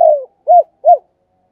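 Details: Spotted dove decoy bird calling. The tail of a cooing phrase: a long low coo drifting downward, then two short arched coos in quick succession. Quiet otherwise.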